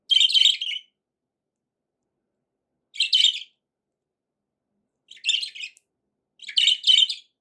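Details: Pet budgerigars, described as happy, give four bursts of harsh, buzzy chirping warbles, each under a second long, spaced by quiet gaps of one to two seconds.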